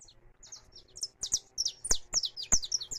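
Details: Recorded live, a free-living saffron finch delivers a quick series of bright, high, slurred chirps, strong and steady across the whole clip.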